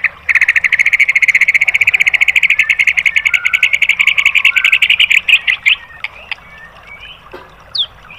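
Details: Murai batu, the white-rumped shama, in a training recording: a long, even machine-gun rattle of harsh repeated notes for about five seconds, then scattered short whistles and upslurred chips.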